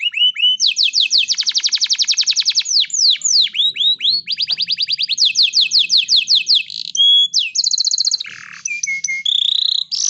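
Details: Canary in breeding condition, singing to call a female: a loud, unbroken run of fast trills built from rapidly repeated sweeping notes, switching between several rolling phrases, with clearer whistled notes and buzzy bursts near the end.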